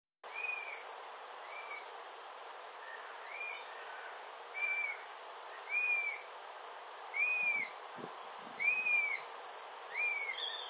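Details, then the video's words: Several Eurasian sparrowhawks flying around, one landing in a tree, at a local nature reserve near Wrestlingworth, Bedfordshire, UK, 28 August 2021: about eight thin, squealing, down-slurred calls, roughly one a second, over a faint low rumble. "Sparrowhawk calls"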